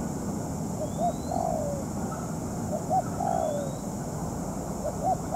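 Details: Spotted dove, a moulting ground decoy used in trapping; sparse low coos, each a short note followed by a longer falling one, repeated about every two seconds, with faint thin high whistles.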